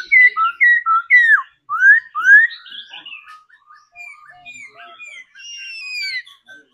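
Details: A caged laughingthrush trained to sing and dance gives loud clear whistled notes, some sliding down and others rising steeply, followed by softer scattered whistles and two long descending slurs.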